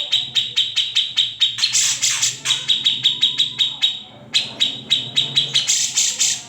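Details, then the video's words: Grey-cheeked bulbul with its characteristic ngetril trilling, recorded unedited as a tutor song for shamas and green leafbirds. Crisp repeated chips race along, swelling into louder bursts, with a faint low hum underneath. "Cucak Jenggot (Kamandanu) Masteran Wajib Murai Batu & Cucak ijo"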